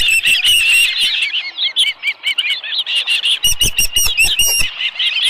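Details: Osprey at its nest with a live fish, 11 July 2018, about 12:41 PM: run of high, downslurred whistled chirps followed by rhythmic sharp clicks and thumps alongside continued calling.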